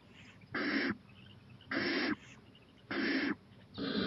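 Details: Owl exploring a porch late at night, 11:26 pm, 23 April 2018; four harsh, steady hissing bursts, each under half a second, repeated about every second and a quarter against a quiet background.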